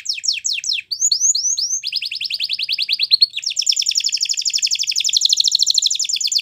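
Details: A canary's training song for young canaries: quick descending strokes, a few looping rising notes, a steady fast trill of short notes, then a loud, dense, rapid rolling trill that carries on to the end.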